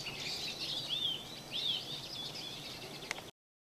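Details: A bathing flock of wintering Eurasian siskins, birds descending in turn to the water: clear thin wheezy slurs rising and falling, several close calls in quick succession, then a sharp click before the recording cuts off.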